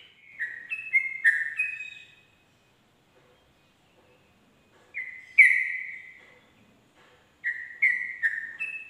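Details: Sooty-headed bulbul singing at dawn, giving loud, bubbly whistled phrases of quick falling and rising notes in three bursts, with short silent gaps between them.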